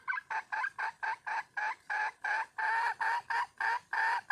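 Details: Wild red junglefowl hen calling for a male: a fast run of about fifteen short, harsh, clucking notes, roughly three per second, evenly spaced and steady in loudness, with a quiet background.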